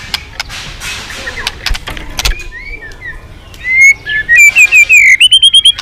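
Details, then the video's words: Noisy start with clicks and knocks, then a white-rumped shama sings rising whistled slurs that build into a quick series of bright, repeated high notes. "Keganasan murai batu diam jadi rajin bunyi kembali"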